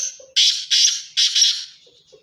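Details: Black francolin of the pure Sindhi chirki strain from Sindh calling: three loud, harsh, rasping bursts, the last one double, in close succession, shrill and grating, trailing off into quiet.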